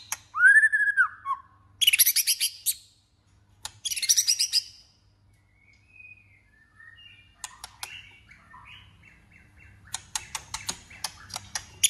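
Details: Singing White-rumped shama, competing and training its voice: a rich upslurred whistle, then two dense bursts of shrill, scratchy notes, followed by quiet twittering and faint clicks.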